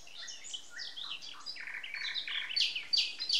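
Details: Birds on a May morning in 2020, Samara Oblast, Russia, giving a busy chorus of high whistles and chirps, with a run of quick descending notes and sharp high squeaks near the end.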